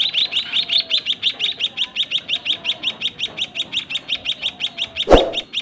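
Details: White-headed munia chicks being fed by their parents in a small breeding cage: rapid, even series of short high chirps, about five per second, with a brief loud knock near the end.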